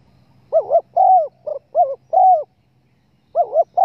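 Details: Spotted dove lure sound used by hunters to draw birds in: low hooting coos with wavering, bending pitch in quick paired bursts, a pause, then more coos on a quiet background.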